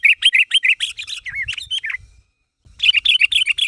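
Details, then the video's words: Chattering sooty-headed bulbul, known locally as kutilang, calling to prompt a reply: loud, rapid chirps about four per second, a few slurred downward notes, a short silence, then the quick chirping resumes. "Suara Burung Kutilang Gacor Memanggil Temannya Agar Bunyi"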